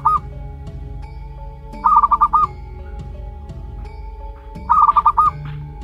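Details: Young zebra dove, one month old and of local wild stock, with a clipped note at the start, then two bursts of about five quick stuttering notes nearly three seconds apart, over steady music.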